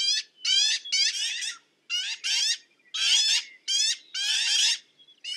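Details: Harsh, buzzy black-billed magpie notes given singly and in doubled bursts, spaced by short pauses in an uneven rhythm.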